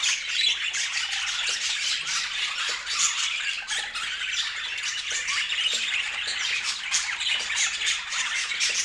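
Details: A crowd of pet budgerigars twitters without pause, steady scratchy warbling chirps from many birds layered into an even, lively wash of high sound.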